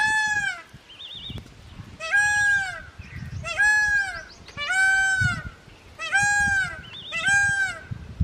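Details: A male Indian peafowl calling during its dance display gives six loud, nasal, trumpeting wails, each about half a second long, repeated every second and a half, with faint wavering chirps from another bird between.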